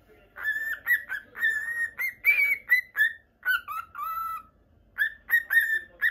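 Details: Male Normal Lutino cockatiel, caged pet in Japan; many short whistled notes in quick sequence, some falling to lower pitch, a brief pause, then more whistles.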